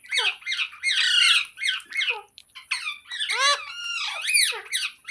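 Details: Green parrot chattering almost nonstop in harsh, rasping, down-slurred calls, some loud screeches mixed with softer squeaky notes.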